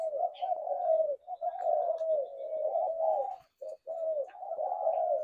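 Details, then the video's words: Several spotted doves giving steady, low, hollow coos that run together almost without a break, with two brief gaps near the end. "Tiếng chim cu gáy"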